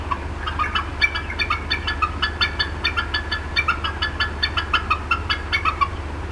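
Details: Female bald eagle upset at the Decorah North nest, 18 April 2016, 4:23 PM CDT, clucking for a long time: rapid runs of short, chirpy notes with harsh overtones, several per second, over a steady low hum.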